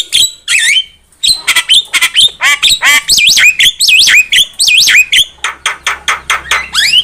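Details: Javan myna song for luring birds to a trap: rapid series of looping whistles, downslurred notes and harsh squawks, roughly eighty notes a minute, fading into quieter clicks with a faint low hum.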